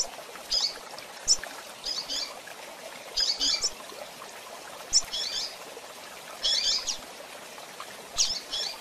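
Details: Calling female double-collared seedeater, recorded for bird training: short, high, slightly buzzy chip notes in loose clusters, spaced irregularly about a second apart, with a steady soft hiss behind.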